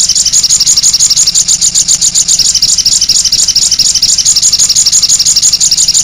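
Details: Continuous shrill chirping from a sogon bird in 'cit anten' song, fast high notes pulsing on without pause over a faint low hum.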